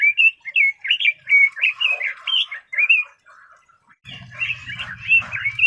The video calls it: Red-billed Leiothrix Singing Voice